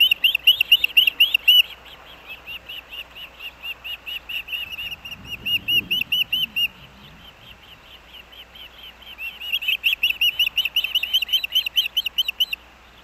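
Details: Osprey father arriving with fish at a riverside nest by busy roads and a railroad in Missoula, Montana, August 2024, nest camera: long strings of piercing whistled chips, loud at first, fading in the middle, then building again into rapid calling.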